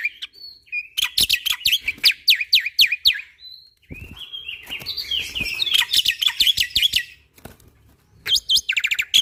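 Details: Jalak putih, the black-winged myna, singing a tutoring song said to panic other mynas: a brief thin whistle, then a run of sharp downslurred notes, a long scratchy buzzing warble, and final loud clipped whistles.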